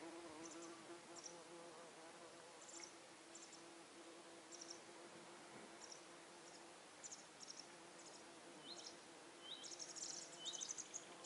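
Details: Fledged masked wagtail chicks, out of the nest but not yet feeding themselves, give thin, high begging chirps in scattered bursts, quickening and sliding downward near the end, while the mother hunts insects; steady low insect hum.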